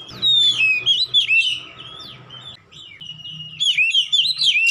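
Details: Oriental magpie-robin song played to help a silent kacer start singing: a loud descending whistle followed by quick varied chirps and slurred notes, a softer gap, then another dense burst of whistles; low hum underneath.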